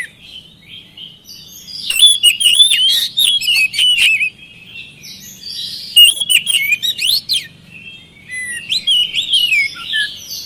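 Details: Oriental magpie-robin in full, continuous song meant to prompt lazy birds to answer: bursts of varied whistles, rapid chattering trills and sharp clicks, separated by short pauses.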